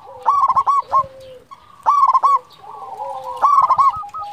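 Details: A local, frequently singing zebra dove repeats three quick bursts of clipped, tumbling coos, each trailing off into a soft warbled note.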